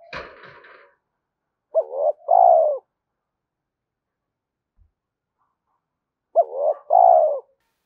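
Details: Spotted dove cooing used for luring decoy birds, opening with a brief noisy burst, then two evenly spaced phrases of a short throaty note and a long, slightly descending coo.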